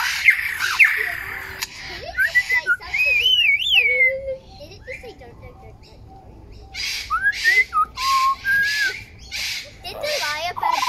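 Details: Lyrebird singing in Australia in 2019, part of its varied repertoire: pure whistled notes gliding up and down, looping warbles, bursts of rapid clicks, and a loud run of sharp chattering notes after a pause.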